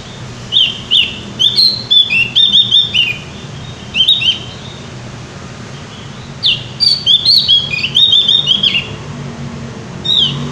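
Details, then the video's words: Javan white-eye singing vigorously: two bursts of quick, bright chirping and twittering notes, sharply rising and falling slurs strung together for about two seconds each, separated by a quiet pause, with a low steady hum underneath. "opior jawa gacor ngeplong"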